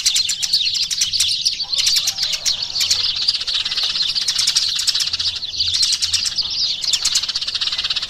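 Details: Eurasian tree sparrows twittering in a high, dense, continuous chatter, with louder bursts of chirps at intervals and little else audible.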